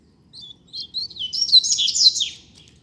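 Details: Song of a rusty-collared seedeater from a pair on the street: a few thin introductory whistles, then a dense, fast jumble of high twittered notes swelling toward the end, over a soft low hum.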